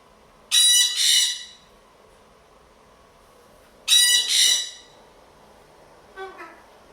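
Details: Blue-and-gold macaw kept as a pet with a sun conure and a parrotlet, noisy from boredom and telling the others to stop: two loud, harsh double squawks about three seconds apart, followed by a fainter, shorter call.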